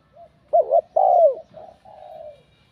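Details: Spotted dove bell-voice coo aimed at provoking rival males: one strong phrase, a short wavering note and a longer falling coo, trailed by two soft, drawn-out lower coos.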